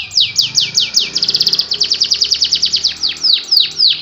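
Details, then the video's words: Canary song in the anti njepret, nagen satu titik style: bright falling whistled sweeps give way to a rapid chattering trill, followed by more widely spaced downward slurs. "KENARI ANTI NJEPRET NAGEN SATU TITIK"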